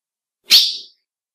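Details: Single note from a female ultramarine grosbeak, the call males recognise and respond to: a short, explosive, bright chip that tails off within half a second.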